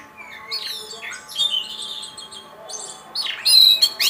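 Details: Oriental magpie-robin that won first place in a bird-song contest, pouring out high, ringing whistles mixed with harsh buzzy notes and fast trills in uneven bursts.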